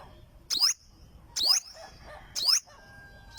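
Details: Singing olive-backed sunbird giving three loud, thin, high sweeping notes about one second apart, with faint soft chips between them.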